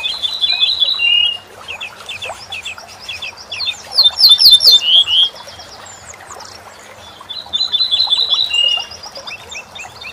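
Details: Corn bunting song used to teach songbirds: a dry, jangling jingle of rapid, high notes, like shaken keys. Three bursts of about a second each, with faint chirps from other birds between.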